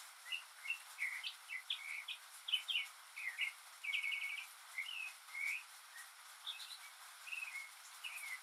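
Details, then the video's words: Northern mockingbird singing alone on a rainy day, mimicking other birds and sounds: a steady run of varied short chirps, trills and whistled phrases, each quickly changing, over a soft hiss of rain. "マネシツグミの「雨に唄えば」Mockingbird's "Singin' in the Rain"!"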